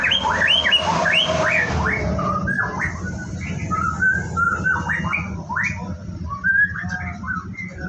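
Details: Captive white-rumped shama at a bird farm during its morning routine, about to bathe, pouring out a dense run of varied whistled and chattering phrases, quick and uneven, over a steady low hum.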